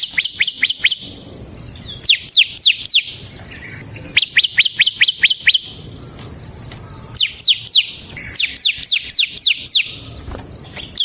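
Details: Bar-winged prinia in ngebren song for luring and training ciblek birds. Bursts of sharp, sweeping high chirps repeat throughout, with a faint insect-like hiss in the background.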